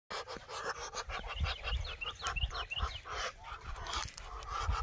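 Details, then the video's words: Muscovy ducks give quick, breathy hissing puffs, almost like panting, several per second, with a few thin, high peeping notes over them. "Muscovy Ducks Talking"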